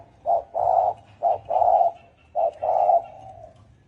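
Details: Spotted dove calling in the thổ ồm and thổ đồng styles, three evenly spaced phrases, each a quick low coo leading into a longer throaty coo that trails off at the end.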